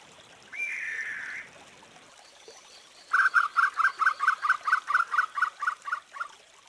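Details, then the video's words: Nocturnal Sri Lanka frogmouth (Batrachostomus moniliger) of forest habitat: one harsh churring note, a pause, then a rapid run of about fourteen short clipped barking notes, steady in pitch, delivered several per second and fading slightly at the end. "Canto del Podargo de Ceilán"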